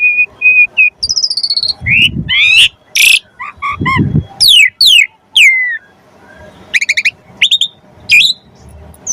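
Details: Javan pied starling song used as training material for songbirds: clear steady whistles, trilled notes and loud falling slurs, with two brief low rumbling bursts in the background.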